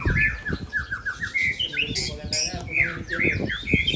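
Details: Singing contest between caged Aceh white-rumped shamas: quick, varied whistled notes that rise and fall, broken by two short hissing noise bursts midway, with a busy low background.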